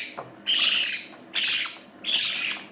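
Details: Young pet budgerigars in Northern Cyprus in the morning, excited while their owner prepares their food, give three bursts of high, scratchy, buzzy chatter, each about half a second long.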